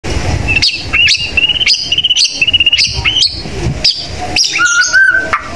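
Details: Competition-style white-rumped shama song used as a training recording: loud, clear whistled notes held steady and repeated about every half second, with sharp clicks, then a lower whistled phrase at the end.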